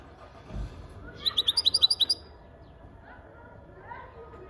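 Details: European goldfinch song: a quick run of about eight bright, high, tinkling notes packed into under a second, with faint voices and a low background rumble.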